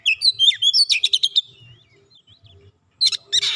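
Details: Oriental magpie-robin song used to provoke a silent bird into singing: bursts of varied whistled and chattering notes with sharp upslurs, a pause, then more chirps and a brief harsh rasp, faint low rumble beneath.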